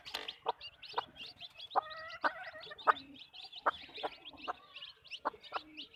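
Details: Hens on a backyard chicken farm clucking: short, sharp, ringing clucks at irregular intervals, a few with drawn-out tones, over a steady background of high, thin chirping from many small birds.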